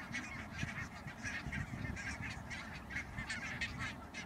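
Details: Dutch coastal recording from Schouwen-Duiveland and Goeree-Overflakkee, 16 March 2009, of barnacle geese: an unbroken babble of high, clipped, yelping calls from numerous birds, with a constant low rumble behind them.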